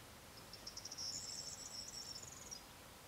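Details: Corn bunting song, faint against steady background hiss: a few quick ticks lead into a shimmering, jingling rattle of about two seconds that fades out at the end.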